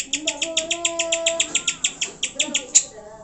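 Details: Greater green leafbird singing, used to prompt pet birds to sing. A steady run of crisp high chips, roughly six a second, above thin sustained whistles.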